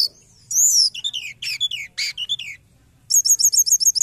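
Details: Forktail recording used as a trapping lure: high sweeping whistles and slurred descending notes, then a fast run of sharp, repeated high chips near the end, in a quiet background.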